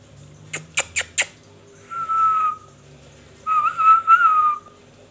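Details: Indoor pet Indian ringneck parakeet, a talking parrot said to be in a bad mood: four sharp clicking taps, then two drawn-out whistled notes, the second one wavering and slightly longer.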